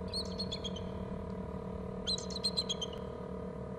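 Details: Eagle calling from a perch, giving two bursts of high, thin chittering notes, each under a second, about two seconds apart, over a steady electrical hum; the recordist thinks two eagles may be on that perch.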